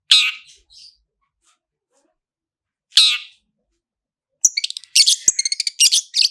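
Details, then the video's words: Long-tailed shrike lure song, roll speed and roll tembak styles, full fill-ins: two separate harsh calls with long silences, then a dense burst of rapid high chattering notes. "SUARA CENDET ROLL SPEED DAN ROLL TEMBAK, PANCINGAN CENDET FULL ISIAN JERNIH"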